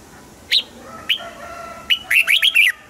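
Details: Red-whiskered bulbul, apparently a caged bird, gives three short, bright chirps about a second apart, then a quick, liquid run of five or six whistled notes over a faint steady hum.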